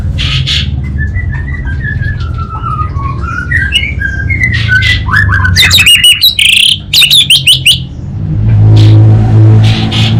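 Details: Caged orange-headed thrush from North Bali, Singaraja: a long string of sliding whistled phrases that rise and fall, broken by a dense burst of harsh, crackling 'kabel konslet' chatter, over a constant low hum.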